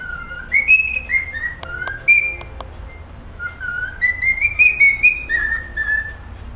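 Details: Pet cockatiel practising its favourite song: clear whistled phrases stepping up and down in pitch, with sliding notes, a pause mid-way, then a second run of whistles.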